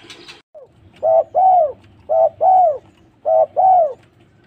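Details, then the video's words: After a short noisy burst, a spotted dove repeats its two-part coo three times: a short level note, then a fuller arching note sliding downward, with low background rumble. "Tekukur lulut gacor"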